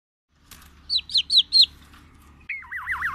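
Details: Black-naped oriole from Aceh, Sumatra, singing a song stuffed with white-rumped shama imitations: four quick sharp downslurred whistles, a short pause, then a rolling wavering warble.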